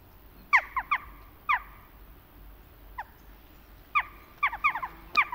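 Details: Autumn calls of Western jackdaws: scattered short, sharp 'tchak' notes, single or in small clusters, separated by quiet gaps against a soft background hiss.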